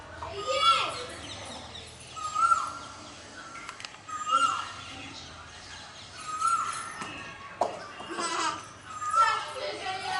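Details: Male Asian koel giving its "kuhoo kuhoo" call, a clear whistled note repeated roughly every two seconds, with children's voices and other background sounds in between.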